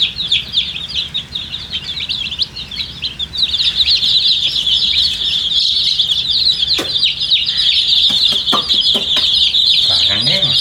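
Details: Colourful poultry chicks drinking water peep loudly and steadily, a thick wall of high, piping calls repeated about four per second, growing denser after the first few seconds.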